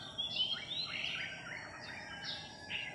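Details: Village Philippine magpie-robin, part of a recently arrived wary flock, July 3, 2021; clear sweeping whistles glide up and down in quick succession, followed by a couple of short separate notes.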